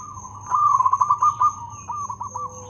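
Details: Local zebra dove with a loud voice and good rhythm; one rapid bubbling, trilled cooing phrase, followed by softer notes, over a steady low hum and a constant high tone.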